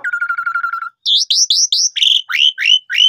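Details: Lure song of an Asian pied starling, meant to make young or non-singing birds respond: a steady stuttered churring note, then a string of loud upslurred whistles repeated about three times a second, shifting pitch toward the end.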